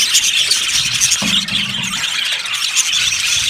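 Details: A colony of yellow Australian budgies in an aviary keeps up constant high chirping and squeaky warbling, with a brief low hum partway through.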